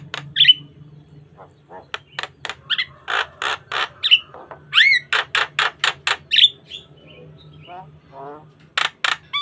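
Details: Vigorous Javan myna in full variation for luring and tutoring other starlings; repeated harsh rasping chatter, ringing whistled notes and rapid stuttering trills, with a quieter stretch of warbles before a final loud burst.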